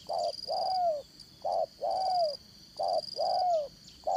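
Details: Spotted dove, a 'Đồng Son' voiced decoy used to trap rival doves. Three short-then-long coo pairs follow at an even pace, with each long note bending lower, over a thin, steady high-frequency drone.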